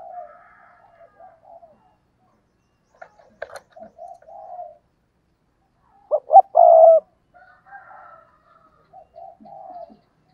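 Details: Decoy spotted dove giving soft low coos, then a loud phrase of quick stammering notes and a long rough coo. There is a sharp knock near the middle and quiet cooing afterward.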